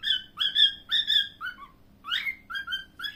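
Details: Pet cockatiel producing clear, level whistled phrases in a quick rhythm, a couple of falling slurred notes, a short silence, then a rising swoop followed by more flat whistles.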